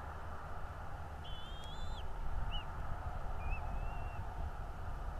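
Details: At a bald eagle nest in North East Florida, recorded 11.02.2022 at 09:55, a drawn-out high whistle with a wavering tail, a short chip, then a softer rising whistle sound above constant low-pitched rumbling.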